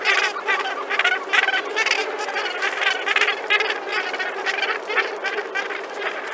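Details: A large Cape gannet colony at Lamberts Bay, South Africa, on 30 April 2021: a dense chorus of harsh, grating, overlapping calls, about two per second, from many birds at once with no pause.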